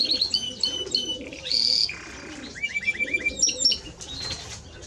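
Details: Song of a Timbrado Español canary: bursts of high twittering notes, a brief loud whistled phrase, then a lower series of fast repeated chirps and more scattered high notes, with pauses between phrases.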